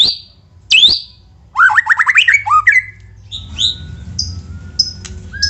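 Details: White-rumped shama singing to encourage other shamas to sing: sharp high upswept notes, then a quick tumbling run of whistled slurs, ending with thin high piping notes and a faint hum.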